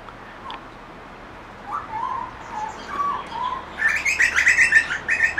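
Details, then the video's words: Grey butcherbird in a backyard: a few soft, lower whistled notes rising and falling, then a lively burst of rapid, bright chirping notes repeated in quick succession. "Grey Butcherbird Song"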